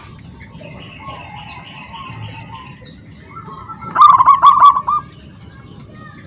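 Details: Local wild-caught zebra dove singing actively to call rivals into song: faint low cooing notes early, then a loud burst of rolling coos near the end, over steady high-pitched chirping of other birds or insects.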